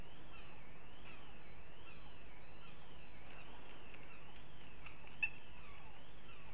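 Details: Goshawks in Riga, Latvia: a long series of wavering, rising-and-falling calls repeated about every half second over a steady low hum, with one sharp click near the end.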